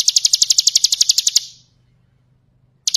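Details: Bar-winged prinia giving ngebren song as a tutor for other birds: a quick burst of about fifteen bright, high chips over one and a half seconds, then a pause, then a fresh burst begins right at the end.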